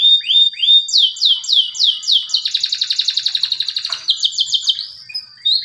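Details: Male canary singing to prompt silent canaries. Descending slurred notes repeat about twice a second, then a fast buzzy trill, a short gap and a rising whistle.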